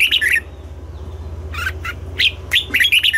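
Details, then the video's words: Morning singing of a red-whiskered bulbul in the double-note, mature wild-bird style: a quick trio of warbled notes, a quiet pause, then scattered sharp chirps and a final rapid slurred flourish over a low background hum. "Luyện giọng cho chào mào hót sáng, ép chào mào hót âm kép già rừng hay tuyệt!"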